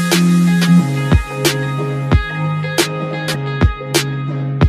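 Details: Rhythmic music with a steady bass line and sharp percussive beats plays throughout, with no animal voice heard.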